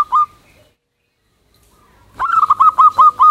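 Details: Zebra dove (perkutut), a local bird singing loudly to call its companions. A single ringing note is followed by silence, then a quick run of clipped, repeated coo notes.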